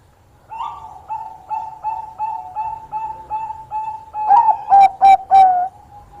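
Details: Bangkok-type zebra dove in lively song, said to be good at luring rivals by sound. It opens with a run of soft, even, evenly spaced notes about three per second, then bursts into four loud, short coos.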